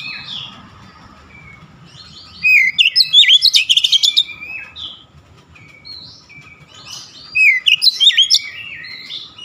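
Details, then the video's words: Aggressive "shooting" song display of an Oriental magpie-robin emptying out its repertoire: quiet whistled notes between two loud bursts of quick, clipped, high chattering notes, with thin faint whistles in the pauses. "KACER NEMBAK NEMBAK BONGKAR ISIAN"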